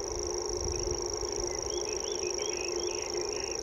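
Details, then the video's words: Common grasshopper warbler (Locustella naevia) reels without a break, its song a thin, very high, insect-like unmusical trill sung with beak wide open and body vibrating; other birds chirp faintly behind, with a low steady hum. "This is not a song you'd associate with a bird | Common Grasshopper Warbler"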